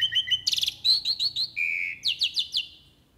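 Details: A jalak uret starling in full fill-in song, singing actively. Quick repeated notes lead into harsh buzzy bursts, then a steady low whistle and a series of descending whistled slurs that fade out.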